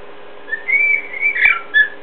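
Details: A pet cockatiel imitating its companion cockatiel gives a run of clear, warbling whistles around two to three kilohertz, rising and falling over two seconds, with a few soft clicks.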